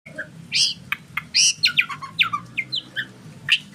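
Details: White-rumped shama (murai batu) singing: varied sharp whistled notes and downslurred phrases, loud clear bursts mixed with quick chips, uneven pacing over a faint low hum.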